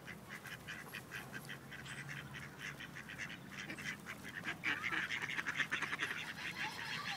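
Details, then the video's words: Group of rejected male ducks in Wilmington, North Carolina attempting to forcibly mate a female; quick irregular series of raspy quacks, around two per second, intensifying in the second half. "Ducks Mating Forcibly"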